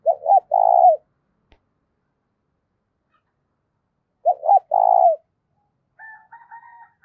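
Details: Spotted dove coo meant to stir decoy doves, in a loud, clean voice: two phrases of two quick low notes and a long trembling coo about four seconds apart, followed by faint, higher stuttering notes.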